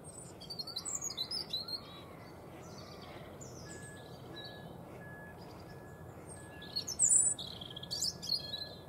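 European robin giving high, thin, quickly varied twittering phrases, with sliding notes and brief pauses, over a steady background hiss and a faint sustained tone.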